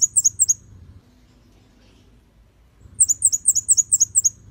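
A red-headed bunting gives two bursts of quick, thin, high downslurred notes, about four then seven, separated by a two-second pause, over a faint low hum.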